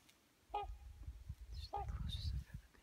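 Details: A pair of trumpeter swans gliding across a lake in Alaska give two brassy, horn-like honks about a second apart, over a steady low rumble of wind, with faint higher chirps between them.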